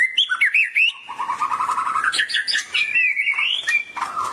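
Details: White-rumped shama in excited gacor emosi singing, prompted by a training recording; bouncy whistled notes open, then a fast steady trill, followed by smooth rising and falling whistles.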